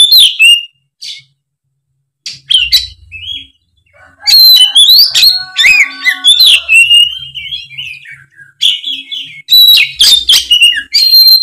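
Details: Lure song of an Oriental magpie-robin aimed at a spotted young bird in molt; piercing slurred whistles and scratchy chips in repeated bursts, with a buzzy harmonic passage in the middle and short silent breaks.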